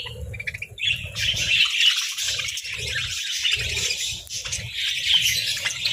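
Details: A group of budgerigars sunbathing gives steady, rasping warbled chatter with rapid chirps, over intermittent low bumping and rustling sounds.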